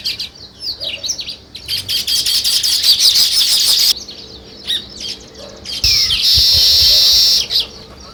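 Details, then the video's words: Sparrows chirping in a noisy group, quick high chips running together into dense chatter, a short lull, then a sustained loud burst of overlapping twitters. "Sparrow Chirping"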